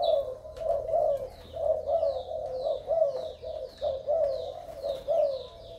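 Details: Vigorous Malaysian male spotted dove with a beautiful collar. Low cooing pulses in distinct swells about once a second, over a steady train of thin descending high chirps.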